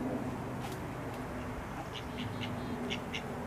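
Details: Female mallard mother protecting ducklings from an approaching Canada goose gives low, muffled quacks; ducklings running back to her answer with short, high peeps in the second half, over a steady background rumble.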